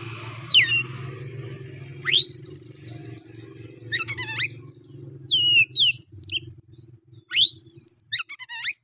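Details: Oriental magpie-robin singing rough 'nembak' style song to excite other males: loud upward-sweeping whistles repeated several times, mixed with quick clicking trills and short chirps over a steady low background hum.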